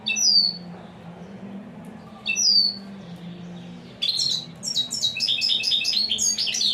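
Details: European Goldfinch, called royal and unbeatable, giving two separate sharp descending whistled notes, then launching into a rapid stream of high tinkling trills and twitters, with a faint low hum throughout.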